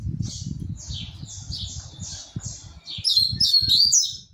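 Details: Double-collared seedeater kept in a cage, singing while moving from perch to perch: a run of evenly spaced high chirps, then a quick, bright, warbling flourish at the end, with soft low thumps of hopping throughout.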